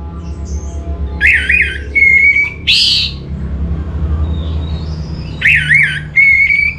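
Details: Orange-headed thrush (Anis Merah) song, recorded in northern Bali as a lure track to get other birds singing: rich, loud whistled phrases with short rising and falling notes and a buzzy burst, repeated in two bouts over a steady low hum.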